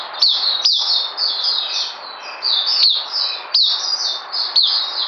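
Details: Oriental white-eye (puteh) singing in the mousey style, recorded 9 June 2019: high, thin descending slurred notes strung in fast runs, with sharper accented chips at the start of each phrase.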